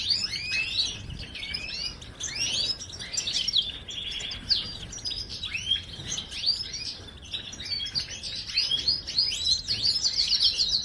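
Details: Long goldfinch song passage: tumbling high chirps and slurred twitters with brief buzzy trills, ending in a fast repeated trill, lively and continuous over low hiss.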